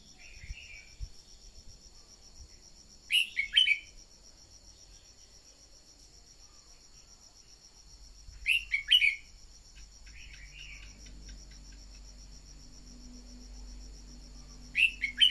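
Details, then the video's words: Red-whiskered bulbul decoy song meant to get newly caught birds singing. Short warbled phrases of several bright notes recur about every five to six seconds, with softer notes between them, above a steady shrill insect drone. "Luyện giọng chào mào mồi-kích bổi mau hót"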